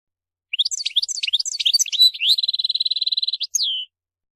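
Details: A European goldfinch, locally mqnin, delivers lively song: tumbling twittered and slurred notes, a rapid even buzzy trill lasting about a second, then a final descending whistled slur.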